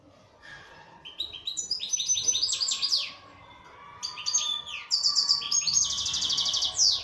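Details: Song of a kept local Algerian European goldfinch: rapid cascades of high falling notes, a brief lull, then tinkling twitters ending in a long buzzy trill; faint low hum underneath.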